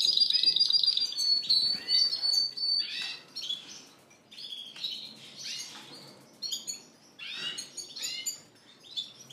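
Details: A caged canary at a bird shop, among Spanish Timbrado and Gloster canaries, April 9, 2016; a fast buzzy trill opens, followed by scattered sharp chirps and rustling of wings between pauses.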